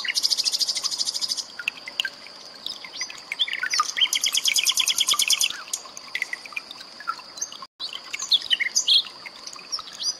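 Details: Common nightingale, mixed with water trickle and cililin song for tutoring pet birds. Loud rapid trills at the start and middle, separated by quieter scattered chips, with a brief silent gap near the end.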